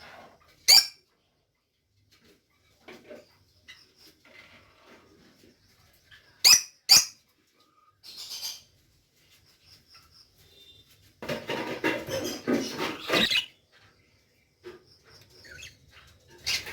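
A crested budgerigar gives sharp, high squeaky chirps between quiet stretches of soft chatter.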